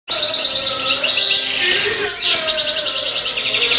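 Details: Black mutation European goldfinch singing a dense, high twittering run of rapid chirps and trills, with a sweeping note near the middle and a steady low tone running underneath.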